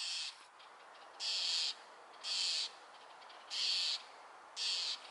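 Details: Wild owl producing loud, rasping hiss-like screeches, five even bursts of about half a second each, spaced roughly a second apart, with little else heard.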